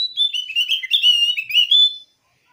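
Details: Javan grey-throated white-eye calling to provoke a rival into answering; a quick, chattering run of high warbled notes that dip and rise for two seconds, then silence.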